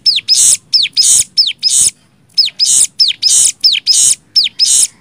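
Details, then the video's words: Nembak song of a cigun for tutoring birds: quick pairs of high, falling, arched whistles, each run into a broad hissing blast, grouped in short runs with a brief gap midway. "MASTERAN CIGUN NEMBAK 6 VARIASI"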